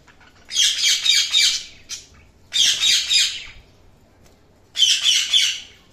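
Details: Budgerigars giving harsh, raspy squawking bursts, each about a second long, three times with short pauses between, in a quiet room.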